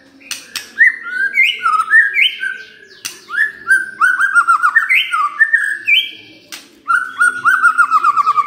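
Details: White-rumped shama singing a lure song intended to provoke rivals: loud, rich whistled phrases of rising and falling notes, delivered in rapid varied bursts with occasional sharp clicks.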